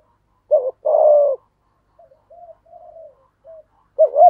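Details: Spotted dove cooing in the giọng thổ style, played to goad stubborn wild-caught doves to call: a short hoot and a longer drawn coo, quiet murmured notes, then a doubled bending coo at the end.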